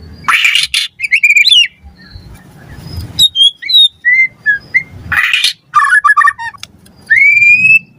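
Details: White-rumped shama song for training captive birds: harsh rasping bursts alternate with clear whistled slurs and warbled phrases, ending in a long rising whistle.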